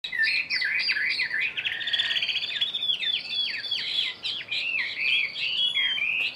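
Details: Caged Chinese hwamei, about one year in the cage, singing a loud, rich run of rapid slurred whistles and warbles, phrases rising and falling and tumbling together almost without pause.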